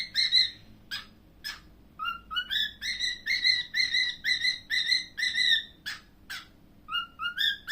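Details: Pet cockatiel repeating short clear whistles in a steady rhythm, with rising two-note slurs and a couple of harsh rasping screeches mixed in.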